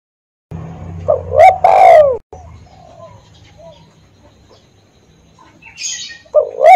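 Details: Single decoy spotted dove phrase of two coos, the second long and falling, over a low hum, then a long quiet stretch with a faint rustle and a coo starting at the end.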